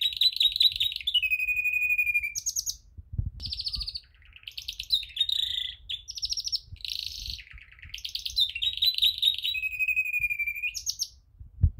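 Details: Canary singing for training, a continuous varied song of fast repeated trills that switch from high buzzy rolls to a sustained lower rolling tour and back, with faint low knocks in the background.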